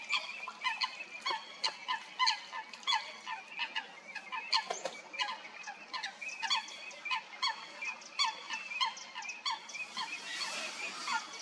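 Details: Coots fighting at Stodmarsh, Kent, UK: a dense, continuous run of short, sharp, clipped calls, several per second and overlapping, from more than one bird, with a brief splashy burst near the end.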